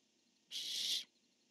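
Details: Barn owl from a pair, the male calling and the female answering, dated 10-1-15: one harsh, hissing screech about half a second long, broad and rasping, over a faint steady background hum.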